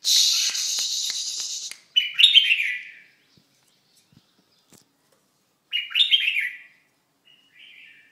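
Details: Red-whiskered bulbul during its moult giving two bright, bubbling, warbled phrases about four seconds apart, each falling slightly, with a softer short note at the end; a burst of harsh rustling noise comes before them.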